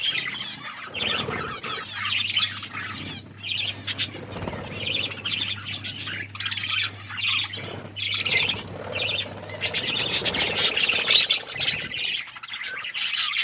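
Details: Budgerigars kept as pets chirping while eating food: dense bursts of scratchy, squawky chatter and short chirps, with pauses and a steady low hum underneath.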